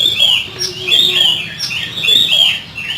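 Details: An oriental magpie-robin sings rough fill-in song for training: loud, rich whistled phrases swooping up and down, repeated about once a second, over a faint low hum.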